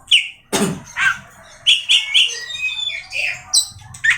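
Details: Oriental magpie-robin (kacer) from Indonesia's songbird-keeping scene, singing varied clear whistled phrases around mid-high pitch, some slurred and rising, broken by short pauses, with a sharp broadband click near the start and a faint low hum beneath.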